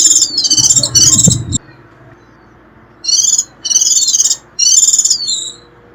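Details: Sharp 'rít' call of a warbling white-eye, used to attract wild birds: high, rapid, buzzy twittering bursts with quick downward-sliding whistles, a low rumble under the first burst, then a pause before three more bursts.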